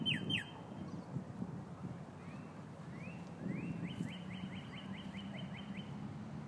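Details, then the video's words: Cardinals calling to each other: clear, upslurred whistles that speed into a rapid repeated series of about four notes a second, over a steady low rumble. "Cardinals calling each other"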